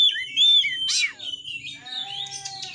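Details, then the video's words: White-rumped shama song, used to stir shamas into singing and fighting: a clear whistled note, then a harsh burst, followed by softer warbling against a faint low hum. "TEMBAKAN BURUNG KACER GACOR FULL MATERI .AMPUH BUAT NAIKAN EMOSI KACER, langsung gacor tarung.."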